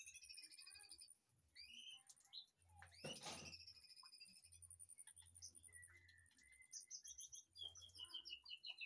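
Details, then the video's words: White-rumped shama in an aviary behind a house, giving scattered whistled and chirping phrases at varied pitches, interrupted by a loud broadband clatter near the middle, with low background hum throughout. "murai batu di aviar belakang rumah"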